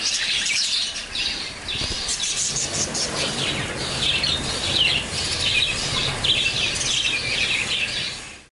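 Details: Chorus of baby lovebirds, captured on a Sony Alpha 6000 camera: loud, unbroken mass of shrill chirps and squeaky twitters filling the whole stretch, with some low rumbling underneath, fading out at the close.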